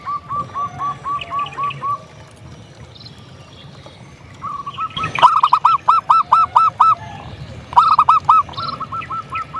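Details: Local zebra dove in full, energetic song, used as a tutor and lure to rouse quiet doves: a rapid series of short, even, mid-pitched notes repeated more than twice per second, in bursts separated by brief pauses, with louder phrases later.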